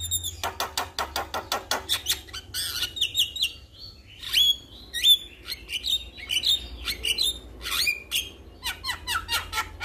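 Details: Male Javan myna calling other mynas: quick clicking bursts followed by varied whistled notes, some pure and rising, others harsh and buzzy, spaced irregularly.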